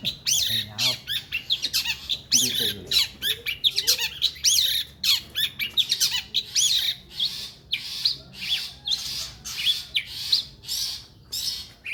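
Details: Long-tailed shrike, a prize contest bird, pouring out harsh, grating squawks and scratchy notes repeated steadily for twelve seconds, mimicking kingfisher calls, with a low mechanical hum behind.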